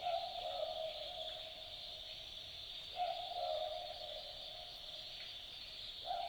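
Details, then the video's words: Australian Boobook calling at night in the Australian bush, its typical two-note 'boo-book' call; hollow low hoots recur about every three seconds over a steady high insect drone. "Boobook Owl Call - The sounds of an Australian Boobook calling at night"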